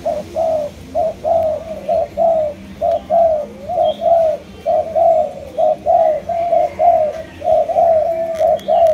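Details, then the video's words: Malaysian spotted dove giving a long, regular series of clear, low coos, roughly one per second, each note slightly arched and evenly spaced. "Cu Gáy Malaysia Nhiều Dòng"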